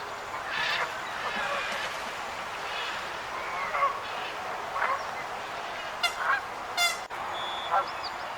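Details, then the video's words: Wild geese in a flock give scattered nasal honks over a steady background hiss. A few thin, sharp chirps near the end may come from another bird. "Sounds of a Flock of Wild Geese"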